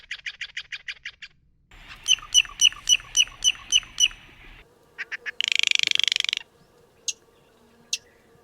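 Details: Steller's Jay, a noted mimic, in a medley of calls from the Macaulay Library collection: quick harsh repeated notes, a run of loud squawks, a rapid rattle, then a few sharp single calls.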